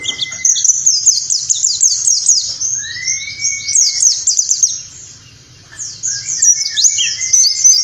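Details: Continuous, dense warbling white-eye 'nembak' song used to tutor caged birds in the morning: rapid high twittering sweeps with a slurred rising whistle in the middle, easing briefly before resuming.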